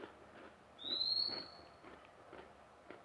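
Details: Single long, pure, high whistle from a newly obtained magpie-robin, slightly rising and then tapering, followed by quiet with faint taps.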